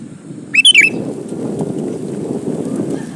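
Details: Male sooty-headed bulbul calling to a female: a single quick phrase of three or four bright, bubbly notes, dipping and rising, over steady low rumbling background noise.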